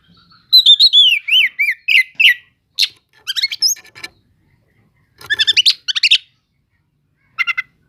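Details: Oriental magpie-robin (kacer cele'ngan) singing as a lure for unresponsive magpie-robins: whistled descending phrases, then buzzy clustered chirps and scratchy bursts, broken by short silences.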